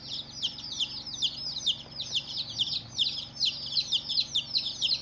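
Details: First-day baby chickens chirping in a crowd: high, piercing peeps, each dropping quickly in pitch, pour out in a busy overlapping chatter with no pauses, backed by a low steady hum.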